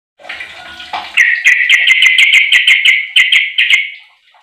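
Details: Sooty-headed bulbul, a 15-year-old bird used as a lure to set other bulbuls singing: after a soft rough opening, a fast run of about fourteen bright, clipped notes near the same pitch, each with a sharp upper click, then fading.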